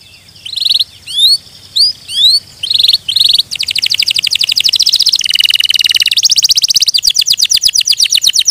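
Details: Canary song opening with separate upward-slurred whistles, then breaking into long, very rapid buzzy trills that change pitch from tour to tour.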